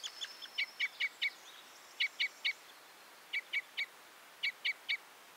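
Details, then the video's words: Common Crossbill giving short, sharp, hard notes, mostly in bursts of three, with brief pauses between bursts; a faint thin high whistle at the start. "The sound of the Red/Common Crossbill"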